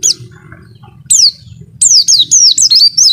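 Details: Oriental white-eye (pleci) masteran with a clear voice: isolated high whistles give way to a quickening series of bright, descending and wavering notes over a faint low hum.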